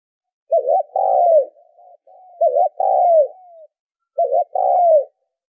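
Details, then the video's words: Spotted dove calling as a lure for training decoy birds, three husky phrases, each a wavering short note and a drawn-out descending coo, separated by faint low murmurs and silence. "tiếng chim cu gáy kích mồi tập bổi hiệu quả"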